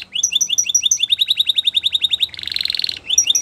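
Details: Canary singing a training song, with chirped notes that quicken into a rapid even trill, then a harsh buzzing roll, then a return to chirping.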